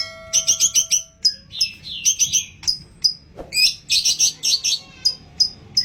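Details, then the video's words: Long-tailed shrike delivering imitated song material, including fighting-sparrow sounds, played to trigger singing in other shrikes. Crisp, high chirps come in short rapid groups mixed with scratchy notes, and a faint steady hum sits underneath. "CENDET ISIAN GANAS Pancingan Ampuh Burung Trotol Gacor"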